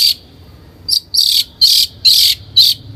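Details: Long-tailed shrike as a lure for training birds: loud harsh rasping notes, each lasting about a quarter second, given in a rapid series of five, then a shorter opening burst.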